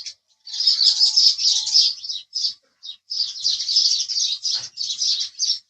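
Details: Rapid house sparrow chatter: fast, sharp chirps run together in long bursts, split by brief silences, then resuming just as quickly.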